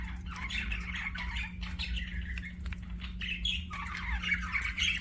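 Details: Softer budgerigar chatter: a rambling, gritty warble of chirps in loose bursts, slightly distant, with a constant low electrical hum in the background.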